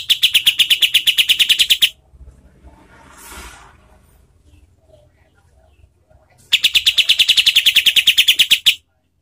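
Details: Kapas tembak bulbul recorded as a master for training contest songbirds, its harsh voice delivered at fast tight speed. Two runs of about two seconds each of quick, evenly repeated sharp notes, separated by a quiet, hissy gap.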